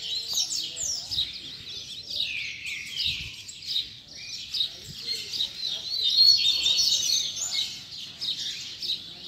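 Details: Rusty-collared seedeater singing a tutor song for training young birds, a fast run of high, sliding whistles and twittered notes in quick succession, about four per second, over quiet background.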